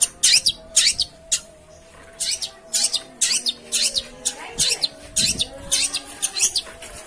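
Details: Long-tailed shrike sounds used as a lure to make a silent caged bird start singing; scratchy, grating notes come in short clusters broken by brief pauses.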